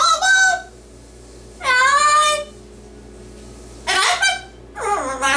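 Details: Pet yellow-naped amazon parrot singing its own version of "Oh Lord It's Hard To Be Humble" indoors: four loud, harmonic, voice-like phrases, some falling in pitch, others rising, separated by short pauses.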